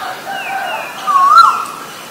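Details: Asian koel, with male and female birds featured; a single loud upward-sliding whistled note midway, preceded by fainter bird notes and a constant background wash.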